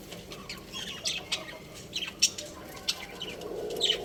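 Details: Pet budgerigars kept at home, chirping: short, sharp high chirps and brief twitters come in irregular bursts, some close together, over a steady low background hum.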